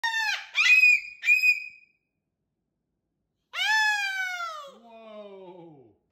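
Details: Pet cockatoo playing with a new baby rattle toy indoors. It gives two short nasal squawks and a brief whistle, then a long, harsh, falling screech that trails off. A man speaks to it afterwards.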